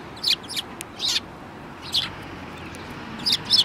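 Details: A group of sparrows, one yellow-billed, on 24 February 2018, giving quick high tweets in pairs and small clusters, fairly loud against faint steady background noise.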